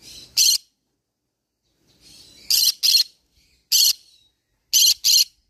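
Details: Green-cheeked conure letting out piercing, harsh squawks, single or doubled, separated by pauses of about a second, with quiet murmuring sounds in the gaps.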